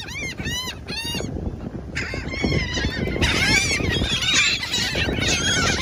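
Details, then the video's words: Several gulls scream at sea by the beach in loud, harsh, overlapping cries that rise and fall, many birds calling at once over a steady background rumble. "Sonidos de gaviotas. Gaviota sonido. Seagulls sound effect"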